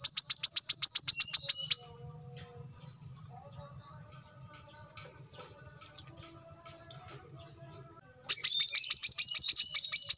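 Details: Brown-throated sunbird (Anthreptes malacensis) song: rapid bursts of high, sharp chips, about eight a second, opening and closing the recording, with faint chirps and a low hum between.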